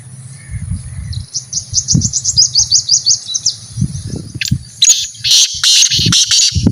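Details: Pet partridge during call training, where the aim is to make it call more often; a quick series of high, chittering notes leads into several loud, harsh, broad rasping bursts, with low background rumble throughout.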